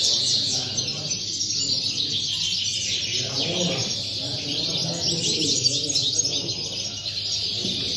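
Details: European goldfinch at a singing competition in Tarragona on 26 January 2020: a dense, continuous stream of high twittering and chirping, with low murmuring voices and noise beneath.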